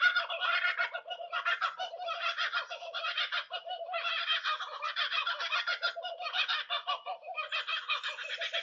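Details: Laughing Kookaburras in a loud, rollicking chorus of harsh chuckling hoo-hoo-ha-ha notes, rising and falling in waves as several birds join in; the laugh-like call is a territorial call announcing location, volume shifting as others join.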